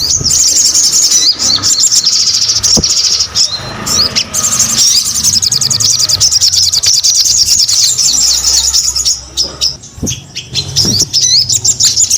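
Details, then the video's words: Persistent crimson sunbird (sogon) song: a long, very high, rapid twitter running for many seconds, tiny notes blurring together, with a steady faint hum behind. "SUARA SOGON GACOR"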